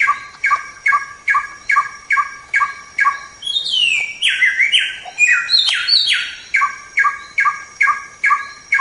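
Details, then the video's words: White-rumped shama song used as a training recording for songbirds: a steady run of bright, harmonic chip notes about twice a second, broken midway by a burst of rich, sweeping warbled phrases, then back to chipping. "Masteran Suara Samyong"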